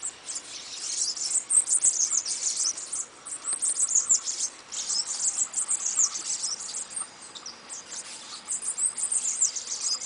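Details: Long run of bananaquit song: continuous, hissing, very high trills and chips in uneven bursts, persisting throughout.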